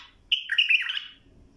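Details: Bulbul song used for tutoring young birds to sing: a short, loud, warbled phrase of rich whistled notes rising and falling, lasting under a second, in a quiet indoor setting.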